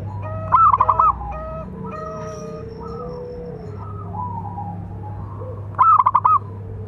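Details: Local zebra dove, a keen singer whose call is used to train and lure other doves: two loud bursts of rapid, clipped cooing notes separated by several seconds of softer, sustained coos and a faint hum.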